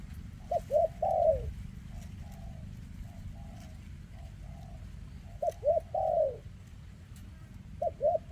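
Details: Spotted dove with a leg defect, 2024, calling in bursts: two short coos and a long falling coo, separated by quieter, smoother, level coos, over a low constant hum with occasional clicks.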